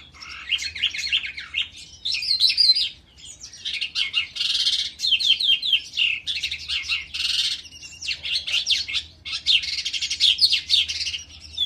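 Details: Calandra lark in a ravine delivering a sustained, fast medley of buzzy chirps, rattling trills and sharp twitters in loud bursts with short pauses, a weak low hum in the background.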